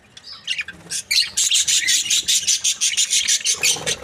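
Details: Happy budgies: after a quiet, sparse start, a rapid run of sharp, evenly spaced chirps breaks out, nearly three per second, over softer background twittering.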